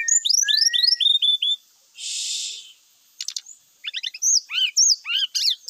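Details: Song of a Brown-chested jungle flycatcher, played to draw other males into a fight and make them sing their full repertoire: fast falling whistled slurs, a soft hissing rush, then clicks and varied sharp downward whistles.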